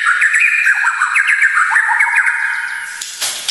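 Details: White-rumped shama singing a dense chattering warble of quick rising and falling notes for about three seconds, ending with a harsh high burst; meant for training and provoking emotion.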